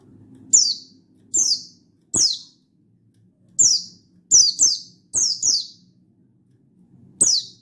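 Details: Mountain white-eye (buxtoni) in lively wild-style singing, calling a rival and meant to stir other white-eyes to sing, recorded 16/8/22: about nine thin, high descending whistled notes, some in quick pairs, at irregular intervals over faint low hum.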